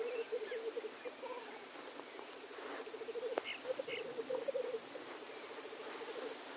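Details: Male black grouse displaying at a lek give a continuous, low, dove-like bubbling rookoo of rapid pulsed phrases, with a few brief sharper notes higher up.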